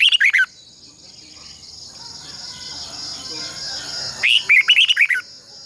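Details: Red-whiskered bulbul kept for training caged birds, heard as decoy song: a short burst of fluty, warbling notes, a pause with soft background noise, then a longer run of quick, rising and falling whistles.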